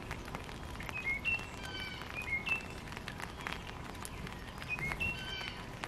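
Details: Backyard birds in Missouri, North America: short, high, whistled two-note chirps heard in three bursts, near the start, middle and end, over a steady low rumble and faint scratchy background noise.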